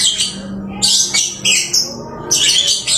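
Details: Home-kept lovebird singing eagerly: scratchy, high squeaky bursts, each under half a second, in quick clusters with brief gaps, plus a faint low steady tone underneath.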